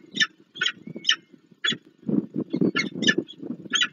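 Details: Peregrine falcon at a nest on the Palace of Culture and Science, Warsaw, Poland, on 26 April 2024 while the female feeds newly hatched chicks; rough, clipped calls in quick succession over low rustling and scraping noises.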